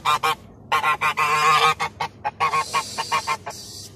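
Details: Paddy-field geese in Taitung, Taiwan, honking almost continuously: a rapid series of brassy, nasal honks, some drawn out and rasping, others clipped and evenly spaced, with a low background hum.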